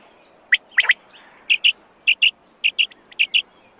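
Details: Wild quail with a few sharp clicks, then a regular series of short whistled note pairs, roughly two pairs a second.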